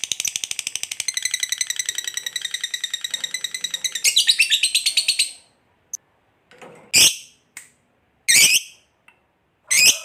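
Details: Lovebird giving a long ngekek chattering song, used as a lure to prompt other lovebirds to sing: a fast, harsh, high trill of rapid even pulses for about five seconds, then silence broken by a few short loud chirps.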